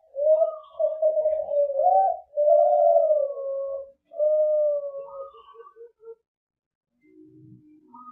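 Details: A juvenile Kelantan spotted dove, farm-bred in Semarang, Central Java, duets with a young companion: long sustained mellow coos and a quick run of short notes, then quieter tones at the end.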